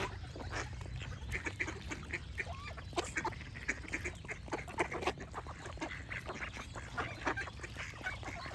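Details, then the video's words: A flock of ducks gives rapid, overlapping quacks in a constant chattering mass, with brief higher chirps from other birds scattered among them. "Duck Quack Sound Effect with Birds Chirping for Relaxation"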